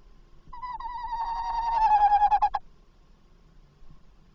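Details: At 21:45 on 27 August 2024, a tawny owl calls while entering a nest box before leaving again soon after. A wavering hoot starts, then steadies into a rough, pulsing tone for about two seconds and cuts off sharply.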